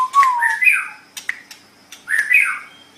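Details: Shama song meant as a master recording for other songbirds: a falling clear whistle, then two harsh rising squawky phrases separated by sharp clicking notes.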